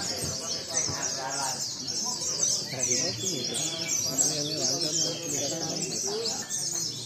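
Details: White-eyes competing in a mixed singing contest, heard as a constant shrill, chattering chorus of high twitters over ongoing human talk.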